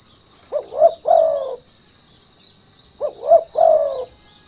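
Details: Calling derkuku, a spotted dove used to lure and provoke other doves to sing: two low cooing phrases about two and a half seconds apart, each two quick rising notes followed by a longer falling coo. Constant high whine throughout.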